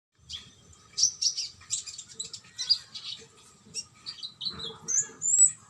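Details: Konin bird singing a varied song of high, sharp chirps and short whistled notes, some rising and some falling, given in quick bursts with brief pauses and a faint low rumble beneath.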